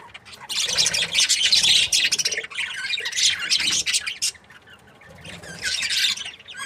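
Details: Breeding pair of budgerigars, described as happy, chattering in dense bursts of harsh, scratchy squawks and chirps, loud for about a second or two at a time, separated by short quieter gaps.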